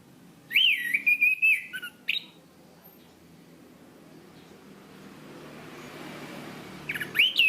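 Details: Lively singing of an Orange-banded thrush (Zoothera interpres), a songbird kept for its voice, in a tutor recording: looping warbled whistles and a lower slurred note, a pause of several seconds, then the warbling resumes.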